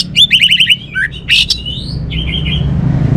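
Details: Orange-headed thrush with a rapid series of ringing repeated notes, followed by a lower whistle, a harsh burst and a trailing trill of notes, over low steady background noise.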